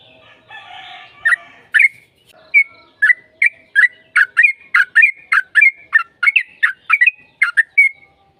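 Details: Fighting-style song of a yellow-vented bulbul, played as a lure to prompt a reply. Faint chatter gives way to a long, accelerating series of liquid, warbled two-part notes with short gaps between them.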